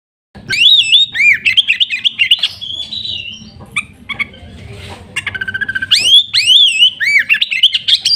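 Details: Energetic song of a kept oriental magpie-robin: continuous varied whistled phrases, slurred notes and quick chattering runs, rising to loud looping whistles near the end.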